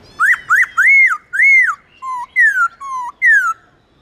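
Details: Laughingthrush singing, used to rekindle a pet bird's urge to sing: bright whistled notes rising and falling in arcs, alternating with lower short flat whistles, roughly eight phrases in under four seconds.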